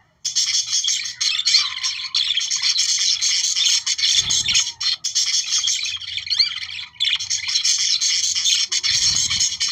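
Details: Budgerigars, the Australian parakeet, chattering to activate breeding: an almost unbroken stream of busy, scratchy warbling and chirps, with a couple of soft low thumps in the background.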